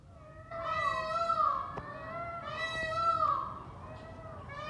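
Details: White peacock uttering two long, harsh, ringing wails that waver and fall, with another call starting at the end, a couple of faint clicks, and a constant low rumble behind.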